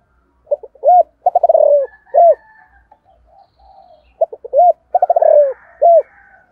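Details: Morning call of a Spotted dove in the 'giọng thổ' style, used to call in wild doves. Two phrases of quick broken notes rolling into a drawn-out descending coo, closed by one short rounded coo.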